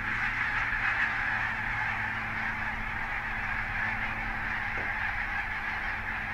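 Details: Wintering flock of barnacle geese from the Svalbard breeding population at Mersehead RSPB Reserve, Dumfries and Galloway, in November 2011. Up to 30,000 birds winter in the area. A dense, unbroken chorus of overlapping yapping calls with no pauses.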